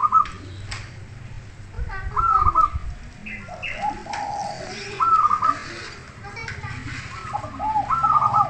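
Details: Zebra dove song from a training recording for teaching other birds: short stuttering coos near one pitch, repeated every few seconds among a busy, murmuring background with other faint calls.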